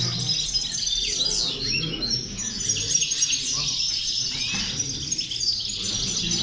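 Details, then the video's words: European goldfinches in full chorus, meant to stimulate goldfinches to sing: bright tumbling twitters, quick rising and falling notes and short trills, all overlapping densely. "corona de caderneras, motivador de jilgueros"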